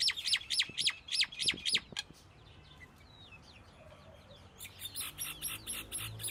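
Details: Common myna (Acridotheres tristis) calling: a fast run of sharp, high chirps, about four per second, breaks off into a quiet pause with faint slurred notes, then another quick burst of clipped chirps.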